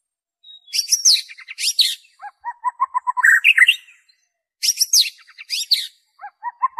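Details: Original white-rumped shama song without borrowed phrases, for coaxing kept birds to sing: harsh high scratchy bursts alternating with runs of low, short whistled notes, repeated in two similar bouts.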